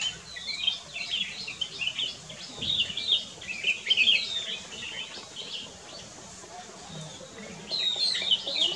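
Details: In Corbett National Park, at Camp Hornbill near Kyari Village, a Black-crested bulbul sings busy runs of crisp high chirps and twittering whistles, a brief pause in the middle, then a final burst.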